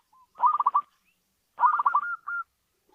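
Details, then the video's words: Zebra dove, a local type kept indoors, giving two short soft bursts of rapid bubbling coos, the second ending in a drawn-out level note. "Suara burung perkutut lokal pembawa rezeki dalam rumah"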